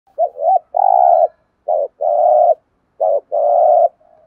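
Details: Spotted dove giving its thúc gù cooing: low, hollow coos in repeated phrases, a short note followed by a long steady drawn-out coo, three phrases in four seconds, clear with no other sounds.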